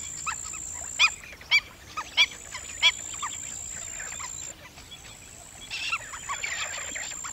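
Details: Black-winged stilt uttering four loud, nasal yelps spaced roughly half a second apart early on, followed by softer, more distant calls and a murmur of other birds over a thin high background whine.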